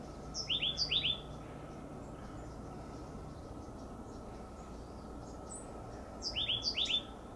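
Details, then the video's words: Oak titmouse calling noisily from a high perch: two short bursts of sharp, high, downslurred chirps, about four or five quick notes each, separated by a pause of several seconds, over a low steady background hum. "Oak Titmouse Calls"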